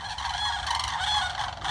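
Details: Four Sandhill cranes standing on a small spit of land in the morning, calling together in a continuous, loud, rolling and honking chorus of harsh, harmonic notes with no pause.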